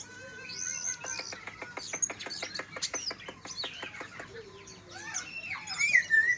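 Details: Greater green leafbird song from Kalimantan and Banyuwangi birds, meant to stimulate listless leafbirds: a rapid series of dry ticking clicks, about three per second, mixed with thin whistles, ending in louder sweet twittering phrases.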